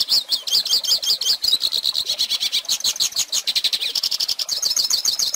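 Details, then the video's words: Song of a Hooded Siskin (pintassilgo), meant to teach young birds: quick twittering phrases, first rising chirps, then a rapid even trill and a final jingling run, with no other sounds. "Pintassilgo Cantando Ensine Filhotes!!!"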